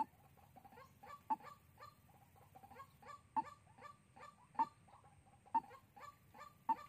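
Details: White-breasted waterhen calling on a trapping lure recording from Soc Trang, Vietnam, 2 February 2021: rhythmic croaking notes broken by several sharp, loud clicks.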